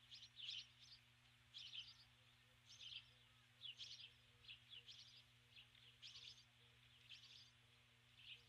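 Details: Female osprey at the nest at dusk calls for her mate with spaced groups of thin, high whistled chirps, one burst roughly every second, quieter than the background hiss.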